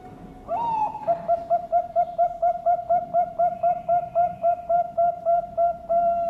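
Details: A competition-grade zebra dove from a bird farm in Sidoarjo, East Java, Indonesia, opens with a rising note, then sings a long, regular series of soft, whistled coos, about four each second.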